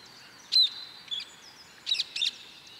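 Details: A female mallard with her ducklings; the ducklings give thin, high peeps in short bursts, a few about half a second apart, over a soft steady hiss.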